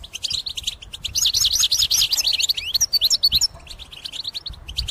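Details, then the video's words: A European goldfinch sings a fast, liquid run of tinkling twitters and buzzy trills, high-pitched and nearly continuous with brief pauses; intense song, used for trapping/hunting. "غناء مقنين يهز السلاكة من شدة الغناء"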